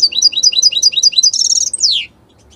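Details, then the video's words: Italian European goldfinch song: a quick run of repeated high, bouncy two-part chirps, a fast buzzy rattle, then one long, sharply falling whistled sweep before quiet. "من أقوى تغاريد طائر الحسون الجميلة الحسون ايطاليا"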